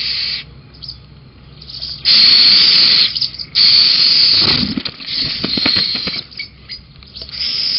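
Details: Little owl at Holten on 13 June 2020 around 18:07, with a snack on the beam and a 'miskuuk' (failed call): two long, harsh, breathy hisses of about a second each, then softer scratchy rasps and light background clatter.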